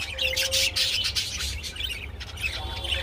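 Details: Budgerigars during mating let out harsh, rapid squawks and scratchy chirps in quick bursts, loudest at the start, then fading to softer chatter over a low hum.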